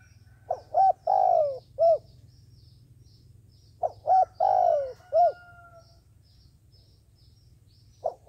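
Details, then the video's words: Trapping decoy dove calls in regular phrases, about every three seconds, each a short note, clipped coo, long sliding-down coo and final coo, with a faint whistle-like tone after the second; low hum throughout. "cu mồi gáy chuẩn, gọi là đếnh"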